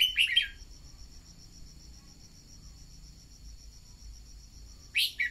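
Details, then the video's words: Decoy red-whiskered bulbul singing to stimulate newly caught birds. A quick tumbling warble opens the clip and another returns near the end, over a constant shrill insect drone. "Luyện giọng chào mào mồi-kích bổi mau hót"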